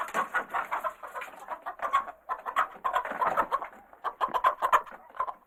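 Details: Several excited chickens clucking inside a coop, a continuous jumble of short, harsh, overlapping clucks and cackles that rise and fall in waves with no pause.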